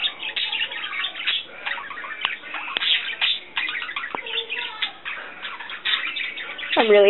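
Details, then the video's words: Two pet budgerigars twitter and warble indoors in a busy, nonstop stream of chirps and scratchy notes while singing and playing, with a woman talking over them, a pet chihuahua nearby and a louder voiced sound at the end. "Just my budgies singing, playing, twittering"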